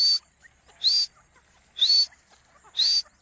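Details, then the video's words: Hunting-lure recording of a partridge: four loud, rasping calls about once a second, each bending upward into a bright whistled note, with faint chirps between them. "dakhni teetar ki awaz"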